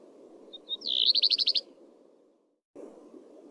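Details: Single phrase from a common redstart (Phoenicurus phoenicurus): two brief whistles, then a quick string of about seven high, sharply repeated notes. A low hum fills the background, briefly cutting out near the end.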